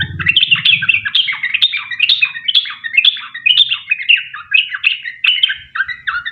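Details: Sooty-headed bulbul in full, fast 'ropel panjang' song meant to lure other birds into singing. A stream of short, slurred, descending chirps repeats without pause. Brief low rumble at the start.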